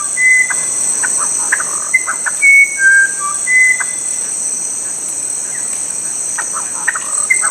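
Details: Musician wren (Cyphorhinus arada) of Brazil's Amazon forest singing pure, flute-like whistles that jump between pitches in short, irregular phrases, over a steady high insect drone.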